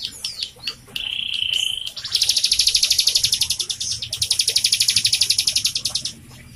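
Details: Bar-winged prinia, a captive bird singing energetically, used as a lure to prompt young or silent birds: a high whistled note, then long, rapid buzzy trills of sharp repeated notes, about four per second, with a brief break.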